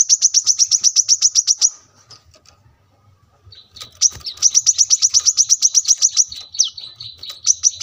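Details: ['Brown-throated sunbird in full song for cage-bird masteran training: quick high chirped trill, a pause of about two seconds, then another long chirping run ending in a few swooping notes.']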